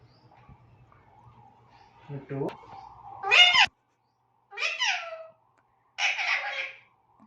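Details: Female Alexandrine parakeet kept as a pet, mimicking speech such as "mithu". A human voice talks first. The bird then gives three harsh, bright, voice-like bursts about a second apart, each sliding downward.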